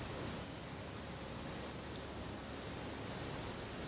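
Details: Black redstart nestlings in their nest in Portugal, eyes newly open and adult feathers growing, give very high, thin, hissing notes in pairs, repeated about every half second in a quiet setting.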